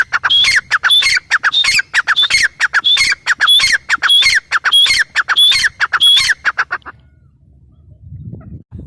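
A grey francolin gives a loud, harsh, rapidly repeated call with a piercing whistled note, about eleven phrases in seven seconds, then stops. Faint low rumbling follows.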